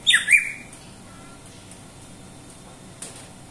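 A greater green leafbird gives a brief, loud burst of harsh, squeaky notes ending in a quick falling slur, then falls silent apart from a faint click.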